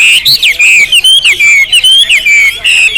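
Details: Hwamei song, described as a champion bird with loud volume and rich song material: loud, clear whistled phrases sliding up and down, delivered in rapid bursts with brief pauses between notes.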